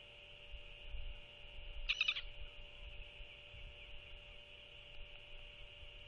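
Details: A royal albatross parent feeds its chick at dusk in February 2024, early in the post-guard stage. One loud, dense burst of rough, harmonic calling lasts about half a second, over a constant high hiss and low rumble.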